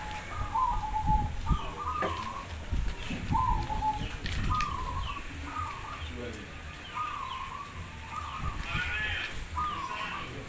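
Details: Zebra dove singing contest of a Demak local perkutut community in Semarang: short bubbling coo phrases repeated every second or so from several birds, over low rumbling and people talking in the background.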